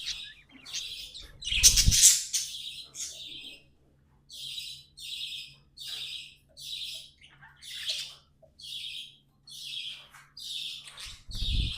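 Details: Tame pet budgies singing, a steady run of short buzzy warbled bursts repeated about every half second with brief gaps, and a louder scratchy squawk near the start.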